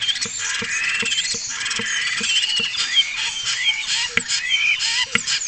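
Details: Spotless starling song captured by a webcam at Parque Nacional de Cabañeros: a dense, continuous stream of high whistles and sliding rising and falling slurs, with soft low ticking clicks about twice a second underneath.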